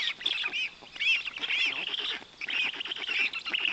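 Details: Black stork young, fed large fish by the male parent in the Notecka Forest, Poland, 18 June 2021: excited overlapping squeals and hoarse honk-like rasps, rising and falling in quick uneven pulses.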